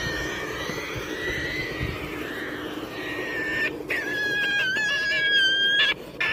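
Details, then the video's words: Pet Triton cockatoo calling indoors: a rough, drawn-out harmonic screech over steady background noise, then a clearer, squealing tonal call that wavers and rises in pitch in the final seconds, broken by short gaps. "Triton Cockatoo"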